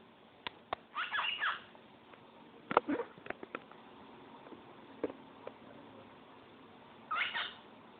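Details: A pet cockatiel sings short bursts of warbling, chirpy whistles separated by quiet gaps and soft clicks.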